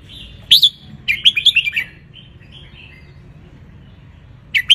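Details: Sunning wild-type red-whiskered bulbul from Ratchaburi, Thailand, sings a tutor song for young birds: a sharp opening note, then a fast bubbling phrase of five or six liquid whistles, quiet pauses, and a closing chirp.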